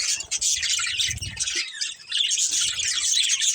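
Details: Two budgerigars, a breeding pair, warble in shrill, scratchy chirps without a break, while low rumbling knocks sound underneath during the first second and a half.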